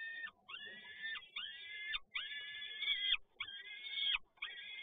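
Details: Male peregrine falcon with another prey delivery, PGE Toruń, Poland, 7 May 2022: six long, strained, harmonic wails, each ending in a drop, at roughly one per second over faint background hiss.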